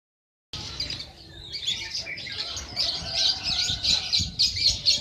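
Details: National champion sunbird, a 'kolibri ninja', singing a master song for training other birds: after half a second of silence, a dense, rapid high twitter of squeaky notes that grows louder and busier, about four notes a second.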